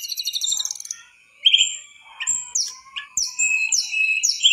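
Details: Mangrove whistler singing a burst of fast high trills, then a short gap, then a run of clear rising whistled notes repeated about twice a second.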